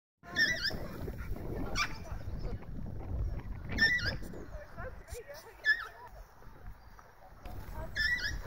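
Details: A parakeet, unexpected in the area, gives short, harsh, screechy calls, about five spaced a second or two apart, on a morning walk at Manor Field Recreation Ground, Whittlesea, over a low rumble of wind and distant voices.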